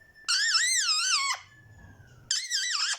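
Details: Pet ringneck parrot imitating Urdu or Hindi speech: two shrill, wavering, squeaky drawn-out utterances about a second each, separated by a pause with faint low background rumble.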